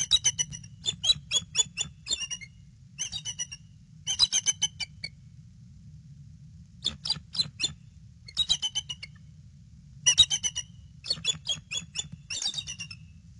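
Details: Nesting bald eagle calling on alert beside its eggs, nest cam, evening of 22 February 2016; repeated squeaky chattering phrases, each several quick piping notes, about four notes a second, with short pauses between bursts and a constant low rumble beneath.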